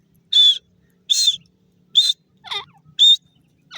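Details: Grey francolin calling in forest: loud, sharp whistled notes repeated about every second and a quarter, each brief and ringing, with a quieter rasping note between them; the background is otherwise quiet.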